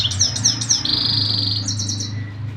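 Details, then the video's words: Continuous canary song: a few quick repeated chirps lead into a long buzzy trill, then a brief rapid burst of notes, set against a steady low hum. "mast saira singing continuesly"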